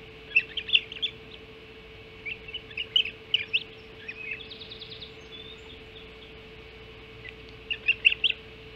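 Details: Ospreys at their Hog Island nest at feeding time, 05.20 on 7 July 2016; scattered sharp chirps in small groups, a short buzzy trill midway, then a final cluster of chirps.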